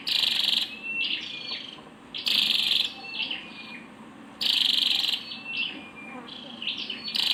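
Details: High, rasping bursts from a female scarlet-backed flowerpecker repeat at intervals of about two seconds, with light twittery notes and a faint thin tone between them.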